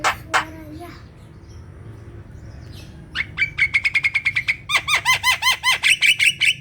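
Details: Lure song of a black-winged myna for prompting lazy captive birds: two loud squawks and a drawn note, a pause, then a rapid stuttering rattle that builds into a steady train of harsh, down-slurred notes.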